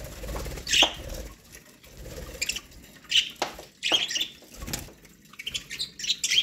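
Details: Pet budgerigars eating corn give short, high chirps every second or so, mixed with sharp pecking and crunching clicks and the odd soft flutter.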